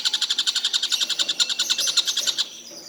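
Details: Tengkek buto kingfisher, calling all day without stopping: a brisk string of loud, high, evenly repeated notes about six per second, ending abruptly after two and a half seconds.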